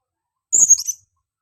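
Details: A female blue-crowned hanging parrot calls to lure birds with one sharp, very high note that breaks into a short stuttering trill, about half a second long, against silence.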